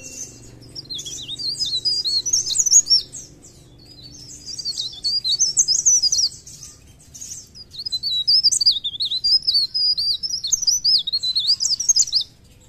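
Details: Mountain leaf warbler, known locally as Blerengan or Cikrak daun, in lively song: three long bursts of shrill, rapidly warbling high notes separated by short pauses, over quiet background.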